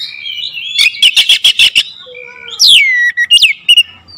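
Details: Oriental magpie-robin lure song: a rapid burst of about seven sharp, clipped notes, then loud whistled phrases sweeping downward and a few quick chirps, all high-pitched and clear.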